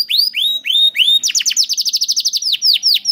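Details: Canary song for training young canaries, with four slow rising whistled slurs followed by a fast trill of short downslurred notes and a few slower downward sweeps.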